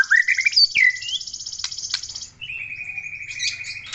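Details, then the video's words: Energetic song of a white-rumped shama from Aceh: sharp whistled sweeps and clicks, then a long, even, sustained whistle held for over a second. "MURAI BATU SUPER GACOR"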